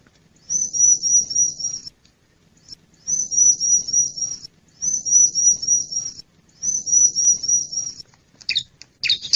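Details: Wild Bar-winged prinia lure call for catching wild birds: four high, thin, evenly pulsed trills about 1.5 seconds each, separated by short gaps, ending with a couple of scratchy chirps.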